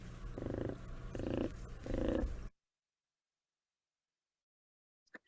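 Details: Broadcast recording of a whooping crane contact call, a quiet adult-to-chick purr rarely heard in the wild: three soft, low purring bursts in about two seconds, then silence and a faint click.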